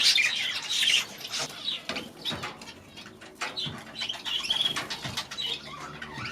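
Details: Last year's baby budgerigars, newly released into a fresh aviary this season, keep up busy high twittering and chirping chatter, loudest at the start, with wing flaps mixed in.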